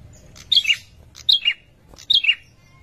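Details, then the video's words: Male prinia calling to a female in breeding condition; three sharp, high two-note chirps, each a bright descending slur, spaced about three-quarters of a second apart. "Prenjak bawah/Prenjak lumut jantan suara birahi memanggil betina"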